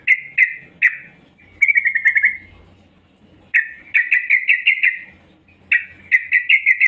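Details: A female yellow-vented bulbul calls to draw in males: repeated bursts of rapid, bright chattering notes at a level pitch, each burst about a second long, separated by short silences.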